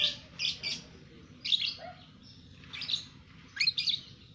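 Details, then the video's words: Pet lovebird aged two months singing: short bursts of shrill, buzzy double chirps spaced about a second apart, over a faint low hum. "Love Bird umur 2 Bulan Sudah Ngekek"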